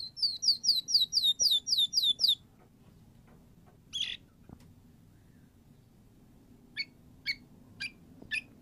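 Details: White-rumped shama (murai batu) in full song, played to coax a silent bird into singing: a fast run of about ten repeated, curving whistled notes, then a pause and scattered short sharp high notes.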